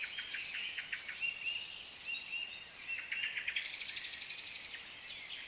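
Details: African lovebirds of different colours calling together, a quick run of shrill, high chirps and short squeaky notes, rising into a denser, brighter burst of chatter near the end.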